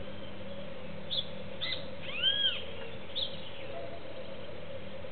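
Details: Juvenile cowbird at a seed feeder, competing with doves for seeds: a few short high chirps, then a louder arched, down-slurred whistle near the middle with a fainter lower echo, and one more short chirp after, over steady low hum.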